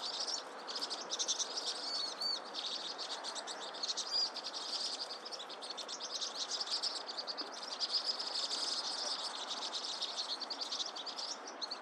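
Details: Vinous-throated parrotbill: long stretch of high twittering chatter with occasional short whistled notes and uneven loudness.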